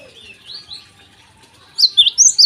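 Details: Java sparrow singing in the morning, used as a lure to prompt untrained birds to sing: soft, slurred notes, then a sudden burst of four loud, sharp, high chirps.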